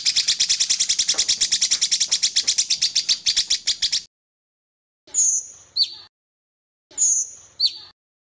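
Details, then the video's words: Varied Sooty-headed bulbul tutor recording with pauses: a fast, even rattle of sharp repeated notes for four seconds, then silence, then two separate phrases of a long high whistle dropping abruptly to a lower note. "Cucak Cungkok Masteran Variasi dengan Jeda"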